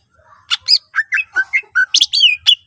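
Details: Short burst of greater green leafbird song, used to encourage other leafbirds to sing: a string of choppy whistled and chattering notes, some rising, ending in a sharp downslurred whistle.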